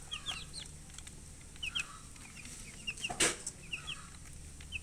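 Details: Thirsty baby chickens peep for drinking water in short, high, downward-slurred chirps spaced out in small clusters, with a sharp clatter in the middle and soft background rustling.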